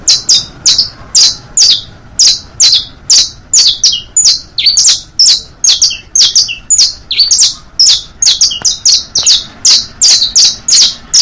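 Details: Saffron Finch song, from a recording for teaching canaries to sing: a steady string of sharp, high, slightly buzzy chips, about two per second, with an occasional lower note mixed in.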